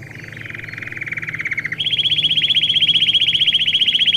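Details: Domestic canary song for young birds in training. A soft buzzy trill builds in volume, then leaps to a higher, louder rapid trill held steadily.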